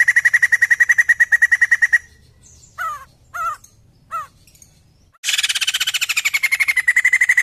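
White-crested laughingthrush: a rapid run of pulsed mid-pitched notes, three short arched whistles, then a loud, harsh, cackling burst trailing into fast chattering notes.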